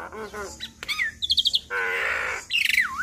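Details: Javan myna in vigorous imitation-filled song meant to get other mynas answering: nasal notes, a quick ticking series, a long harsh buzz, then a bright descending whistle.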